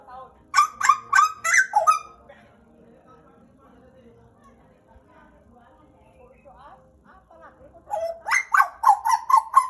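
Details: Pet pied butcherbird from Papua, Indonesia, kept for about two years, sings two loud bursts of fluty, gurgling notes with sharp clicks, separated by a long quiet pause with faint low background hum.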